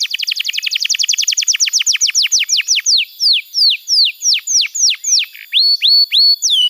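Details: Young-canary training song: rapid downward-sweeping whistles repeated in a quick trill that gradually slows into longer, spaced slurred notes, some flattening into short level whistles near the end.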